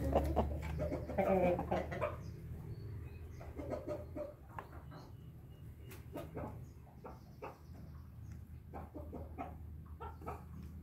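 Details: A Bangkok hen gives one short, harsh, rising-and-falling crow near the start, then soft clucks and clicks over a steady low hum.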